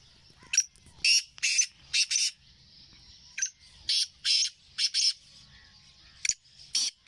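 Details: Black francolin calling, recorded on 20 April 2024: harsh, grating, high bursts in uneven groups of two or three, separated by short quiet gaps.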